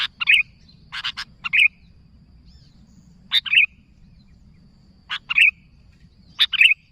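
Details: Calling to companions, a sooty-headed bulbul gives paired phrases: a sharp burst followed by a fluty liquid note, repeated every one to two seconds. A steady thin whine sits in the background.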